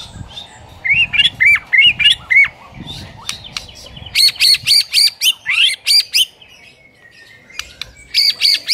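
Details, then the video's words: Morning lure of White-rumped shama song, used to train a silent bird to sing: bouncy rising-and-falling whistled phrases, then bursts of piercing high repeated notes, separated by short gaps. "PANCINGAN PAGI HARI UNTUK MELATIH MURAI BATU BISU AGAR CEPAT GACOR"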